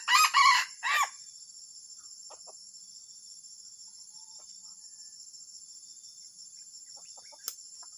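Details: A junglefowl utters a loud, harsh crowing phrase of three rough syllables in the first second, followed by faint scattered clucks and a continuous insect drone.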